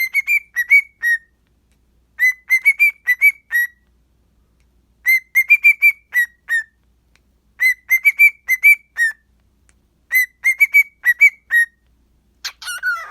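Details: Ziggy, a pet cockatiel, has a morning sing, talking to himself: he whistles short phrases of clear, bright notes, repeating them in bursts every couple of seconds.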